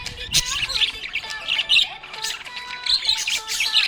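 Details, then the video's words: Happy budgie gives bursts of harsh squawky chirps and chatter with brief pauses, with faint tonal sounds behind. "Happy budgie chirping sound"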